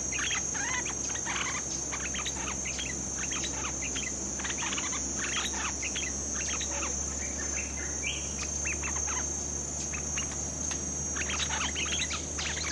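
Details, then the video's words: Bulbul (merbah lekir), a new bird being trained, gives a lure call of quick, bright chirps repeated in irregular bursts over a steady high insect drone, with other chirping birds around. "Suara pikat merbah lekir"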